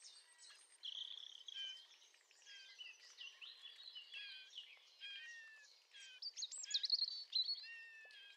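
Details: Song of a male Eurasian blackcap roughly 30 metres from a kitchen window: varied scratchy warbling phrases break into louder, fluty whistled notes near the end, delivered in rapid, irregular bursts over light hiss.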